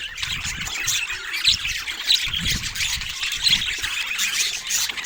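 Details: Budgies produce an unbroken wash of high chirping and scratchy warbles, punctuated by occasional sharper notes and soft low knocks.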